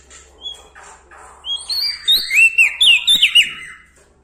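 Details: Bar-winged prinia from Lombok, singing boldly beside larger birds. A soft chattering lead-in builds into a quick string of high, sharply bent whistles and twittering notes, then fades away.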